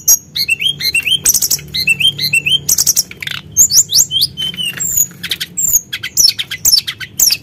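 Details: Sunda blue robin singing energetically as a lure to stir up other birds: paired rising whistles repeated in short groups, then sharp high chirps and slurred notes tumbling quickly.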